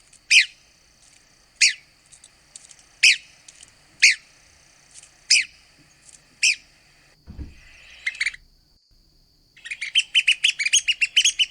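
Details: Red-cockaded woodpecker, southeastern United States: six harsh single notes repeated roughly every second, a low thump and brief scratchy sound, then a quick series of rapid squeaky chattering notes at the end.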